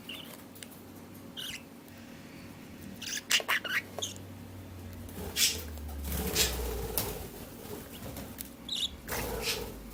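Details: One-month-old budgerigar chicks, just starting to get used to being handled, give short, scratchy squeaks and raspy chirps in scattered bursts.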